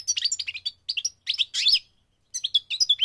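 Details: Lively, tumbling goldfinch song from a migrating bird: rapid high chirps and metallic twitters in quick phrases split by brief gaps, one buzzier passage in the middle.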